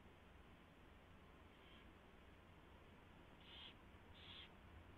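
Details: Owl at its nest, 4:21 AM, 24 February 2016, mouse brought in and fed: one faint then two louder short breathy screeches near the end, against steady low-frequency hum.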